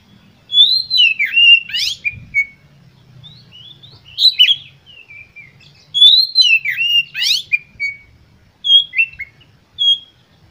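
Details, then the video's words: Oriental magpie-robin singing a long, full-emotion lure to provoke rival birds: sweet whistled slurs mixed with harsh buzzy rattling bursts, the main phrase repeating roughly every five seconds, softer twitters between, slight low noise beneath. "Pancingan Kacer Gacor Full Emosi Ini"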